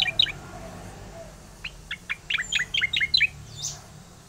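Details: Oriental magpie-robin (cica koreng) in full rolling song, a rapid run of sharp, high chirped notes in quick succession, bright and varied, with a few softer lower whistles at the start and faint background hum.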